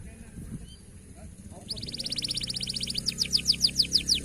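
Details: A local canary begins after a quiet pause with a rapid buzzy rolling trill that builds, then shifts to slower, louder downward-sweeping high notes.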